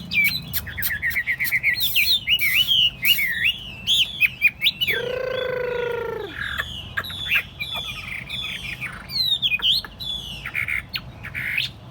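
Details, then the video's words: A caged, tame Chinese hwamei on a tabletop pours out a long, varied whistled song with rising and falling slurs. Partway through, a sustained nasal, buzzy tone lasts over a second. "Thuần tít xách tay đặt bàn, không tật lỗi. 夜莺之歌, นกไนติงเกล, burung, bulbul."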